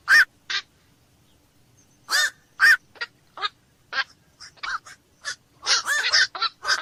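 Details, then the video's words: Black-crowned night heron calling at night with gruff, barking notes that start sparse and become a dense, overlapping chatter of croaks toward the end. "SUARA BURUNG KOAK MALAM"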